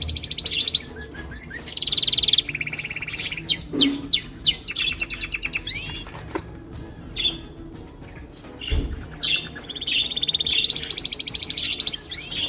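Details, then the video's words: Male canaries sing to impress, each his own song: varied fast trills at different pitches, quick sweeping notes and chips in busy succession, with a low thump midway. "The Singing Canaries"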